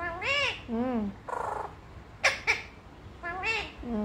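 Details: A parrot being trained to call its owner repeats a two-syllable 'Mami' in a nasal, voice-like tone, a few times in four seconds, with a couple of sharp clicks between.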